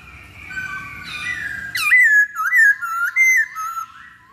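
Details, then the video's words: Loud whistled song of a masked laughingthrush, used as a lure to provoke singing: a steady soft tone, then a sharp rising note and several ringing, undulating whistles with short gaps. "Pancingan Poksay Hongkong Paling Ampuh"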